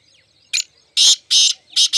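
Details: Mushki teetar, the black francolin, producing loud grating call notes: a short rasp, two long harsh buzzy bursts, then a quick double note at the end.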